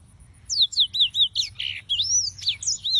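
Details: Yellow-fronted canary (Serinus mozambicus) singing a bright high-pitched run of sweeping whistles and slurred notes, with a brief buzzy burst midway. Quiet low hum underneath.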